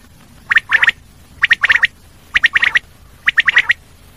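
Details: Common quail calling in quick three- to four-note bursts, each note a sharp liquid pip, the phrases spaced about a second apart in a steady rhythm against near silence.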